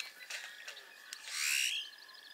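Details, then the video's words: A Great-tailed Grackle at Burrows Pond, Sac County, Iowa, gives a few dry clacking bursts, then a loud, harsh rising whistle ending in a faint, rapid ticking rattle. "Great-tailed Grackle"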